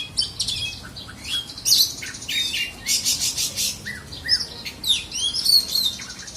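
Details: Oriental magpie-robin, a black-and-white kacer in South Aceh, Indonesia, delivering varied song: sharp down-slurred whistles, squeaky chirps and scratchy bursts repeated in quick succession, little other sound.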